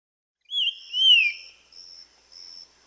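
A Ringed antpipit gives two clear, slurred whistles, the second sweeping down, followed by two thin, high steady notes. There is no other noise.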